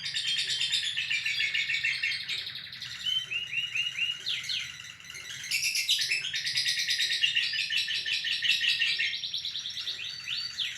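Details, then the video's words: Lovebird giving a long ngekek trill in a live recording: a dense, high, buzzy chatter of rapid notes running for nearly the whole stretch, with a short dip in loudness near the middle before the trilling surges again. "Lovebird Ngekek Panjang Terbaik"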